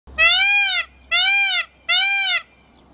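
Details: Adult male Indian peafowl (Pavo cristatus) giving its mating call to attract a mate: three loud, nasal, wailing cries in quick succession, each slightly arched in pitch and under a second long, with quiet between.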